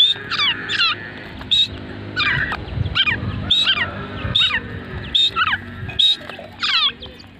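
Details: Mid-age grey francolin giving loud, shrill, ringing notes in quick bursts, repeated about once a second over a low rumbling background.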